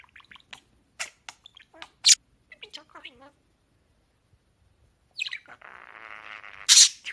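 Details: Pet parakeet talking indoors: a run of short, high squawks and chirps in quick bursts, a sharp loud squeak near two seconds, then a buzzy churring warble ending in a bright shriek.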